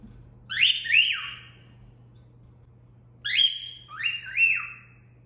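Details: Whistled cat call from a female cockatiel trained by its owner, two bright two-part phrases: a sharp upward slide followed by a dip-and-rise note, the pair repeated after a pause of about two seconds, with faint background hum.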